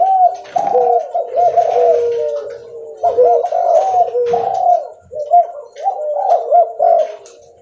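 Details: Spotted dove of the leopard type cooing loudly while walking; three wavering coo phrases, each a string of quick rolling notes ending in a drawn-out tone.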